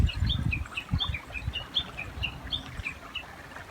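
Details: Japanese bush warbler by a river, giving a rapid repeated series of short clipped high notes in alternating pairs, over a low continuous rush of flowing water.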